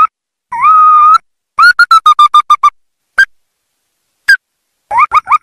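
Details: Trapping call of the ruddy-breasted crake: a short note, a long level nasal tone, a quick string of about eight clipped notes, two isolated notes, then a brief rapid burst.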